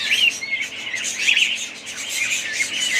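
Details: Budgerigars chirp and twitter rapidly, with bright whistled notes popping out of a thick, unbroken chorus of chatter.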